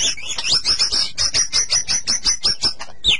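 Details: Captive white-rumped shama master song for stimulating other shamas: a rapid run of high chirps repeated steadily, ending in a descending whistle.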